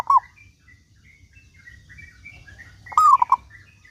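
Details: Local zebra dove, a lively singer, used as a lure to make other doves sing: a brief cooing note at the start, then a full phrase of four quick rippling coos near three seconds, over a quiet low hum.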